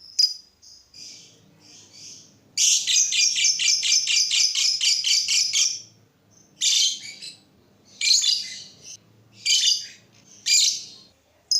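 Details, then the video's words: Singing lovebird, a sound meant to provoke other lovebirds to sing: soft high chirps, then three seconds of loud rapid buzzy chattering, followed by separate harsh squeaky bursts at roughly one-second intervals. "Suara burung lovebird ini ampuh bikin lovebird lain ikut gacor"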